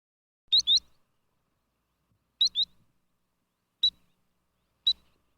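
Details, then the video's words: A sandpiper gives high, sharp whistled notes: two quick doubled "peet-weet" calls, then two single peeps about a second apart, with faint low thumps. "SANDPIPER BIRD SOUND EFFECT"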